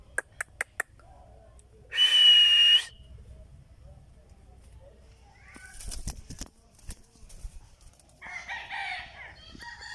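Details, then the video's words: Indian ringneck parakeet giving one loud, harsh screech lasting under a second, rich and broadband with a steady whistled core, among sharp clicks and faint distant chirps. "Indian Ringneck parrot /natural sounds"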